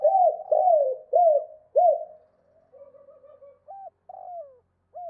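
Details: Spotted dove, cooing in 2 cốt and thúc lợi cốt fashion to lure wild doves: four loud arched coos, a quieter wavering stretch, then short hooked notes at the end, clean background.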